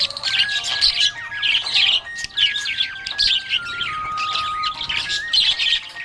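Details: Happy budgie chirping: dense, fast warbling chatter of squeaky chirps and trills, nearly continuous, with a faint steady melodic tone stepping in pitch behind it.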